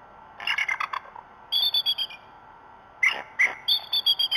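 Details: Bald eagles shouting at the Decorah North nest at 04:50 on 27 March 2016: two bursts of high, thin, chattering piping notes, each a quick run of five or six squeaky cries, over faint background hiss.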